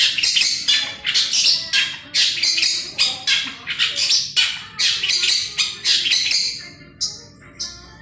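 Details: Long-tailed shrike in full song, used as a lure recording: a rapid stream of harsh, scratchy chattering bursts, roughly one per second, ending with two thin high notes.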